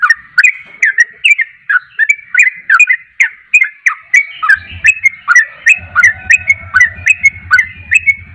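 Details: Javan pied starling (trucuk) in energetic song: a fast run of whistled, slurred notes, rising and falling, repeated roughly every third of a second, with a low droning hum in the background during the second half.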